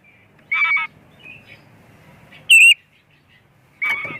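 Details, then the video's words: Oriental magpie-robin in full, varied song, used to set other magpie-robins singing. Three loud phrases come about every one and a half seconds: a buzzy rasp, a pure ringing whistle, then a rasping chatter, in a quiet background. "Kacer gacor full isian pancingan burung Kacer"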